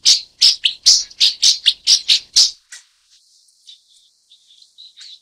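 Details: Broad-tailed paradise whydah calling a rapid run of about ten harsh, buzzy chirps, several per second. The run then fades into soft, scattered high twitters.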